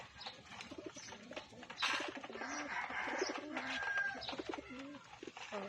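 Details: Several pigeons being fed give low, throaty coos, overlapping and repeating, over rustling, flapping and scattered background noise, perhaps with a faint voice.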